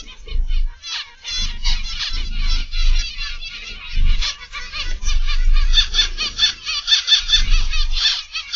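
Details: Zebra finches calling in an aviary in the evening: many overlapping nasal, buzzy chirps in quick runs, with low bumps and fluttering sounds in the background.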